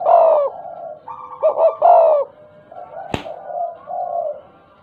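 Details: Tame, very vocal spotted dove giving a stuttering ('gagap') cooing call: a run of stammered, hollow coos in the first two seconds, then a sharp click and softer trailing coos.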